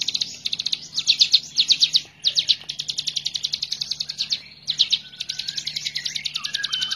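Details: Vigorous hill prinia singing, suited as a training master for other birds: long runs of rapid, bright, high-pitched notes delivered in loud bursts, with short breaks before each renewed volley.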